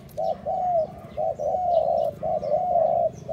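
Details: Spotted dove cooing to stimulate and lure other doves: short soft coos alternating with longer drawn-out ones, in a rhythmic repeated phrase of about one note per second, clear against a quiet background.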